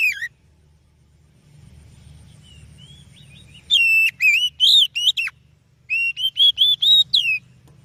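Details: Oriental magpie-robin lure song meant to set other birds singing: one whistle, a quiet stretch with low rumble, then two energetic bursts of varied whistles, some wavering and some steeply falling.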